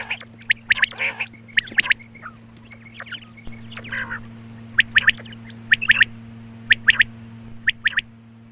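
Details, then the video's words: Morning calling of a female quail, recorded as a lure for hunting: bursts of nasal, rasping notes mixed with quick, sharp clicking notes, coming in uneven groups roughly once a second, with a constant low hum underneath. "Female Quail Calling Suba Lagty waqte Ki Awaz Female Batair Calling"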